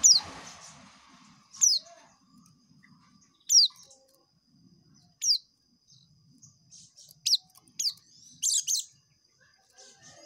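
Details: Ngekek song of an oriental white-eye: thin, high downslurred notes about every two seconds, speeding into a quick cluster of shrill chirps near the end, with faint low murmuring.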